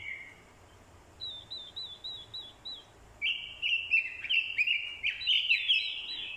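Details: Orange-headed thrush male decoy in fighting song, provoked by a female's call: first a run of soft wavy high notes, then loud, choppy whistled phrases pouring out rapidly to the end.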